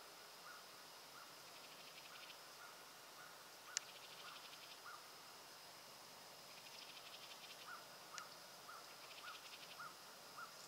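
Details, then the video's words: House wren at Roxbury Park in Meggett, South Carolina, giving quiet, fast buzzy rattles in short bursts spaced a few seconds apart, over a continuous high insect hum and soft lower chirps. "House Wren calling"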